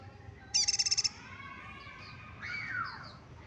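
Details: Batam yellow-bellied prinia delivering one rapid buzzy high trill of about eight pulses, followed by softer thin whistles and a falling slurred note, against a low steady background rumble.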